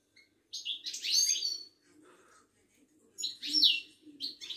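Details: Caged Moroccan European goldfinch of Wydani type at a Casablanca bird market, giving long rich twittering phrases with tinkling trills and buzzy notes, separated by a short pause; steady low hum behind.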